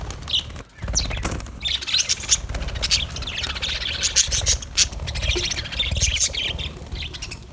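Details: Aviary budgerigars keep up an almost continuous high twittering chatter mixed with harsh squawks and clicks, over steady low background noise.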